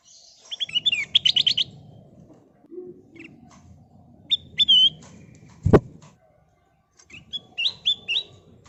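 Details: Sooty-headed bulbul song used as a lure to set other birds singing: fast chattering whistles, then short clear whistled phrases and a closing run of rising notes, broken by a loud knock midway, over low rumble.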